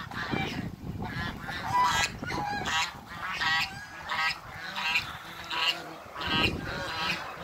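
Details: A pair of Toulouse geese, a domestic breed, greeting a visitor. Loud, nasal, harmonically rich honks come in quick irregular bursts, often overlapping, over low rumbling background noise.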